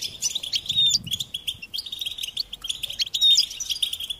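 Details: Goldfinch song meant to encourage songbirds to sing: pulses of jingling chirps in repeated short groups, each less than a second long, with a few thin whistled glides.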